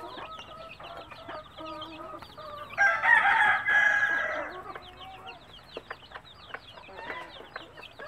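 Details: Country hen calling her chicks to food: soft clucks and many thin descending chick peeps, a loud, prolonged hen call in the middle, then more peeping and clucking.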